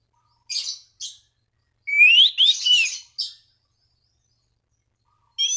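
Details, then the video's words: Orange-banded thrush singing to encourage other thrushes: a few short raspy notes, then a loud phrase of rising slurred whistles with buzzy overtones, followed by silence. "Anis Cendana Gacor MEMANGGIL LAWAN Pancingan burung anis lain agar berkicau"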